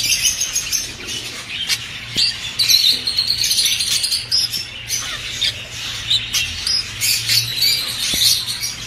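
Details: Several budgerigars chatter to prompt breeding: grating squawks, sharp clicks and thin whistled notes overlap in an uneven stream, with a constant low hum in the background.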